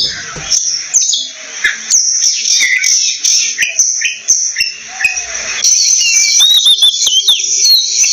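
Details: Oriental magpie-robin singing: varied clear whistled phrases, some rising and falling, others short and sharp, over a steady high buzzing insect drone with scattered clicks.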